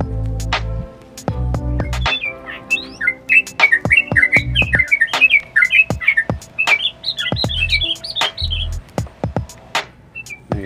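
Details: Yellow-vented bulbul singing actively with clicking 'nguklik' notes, said to provoke other birds. Rapid chattering, bubbly warbled phrases rise and fall, with many sharp clicks scattered throughout and repeated low thumping sounds beneath.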